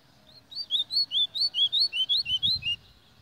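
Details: Song of a white-throated seedeater: a fast, even series of about a dozen sweet whistled notes, each slightly slurred, alternating high and low in a steady rhythm, with a brief low thump near the end.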